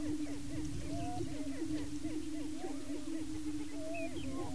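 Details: At a Washington County, Kansas lek, male greater prairie chickens display and fight over breeding territory. An unbroken low drone carries rapid, overlapping cackling notes and a few higher whistled whoops near the end.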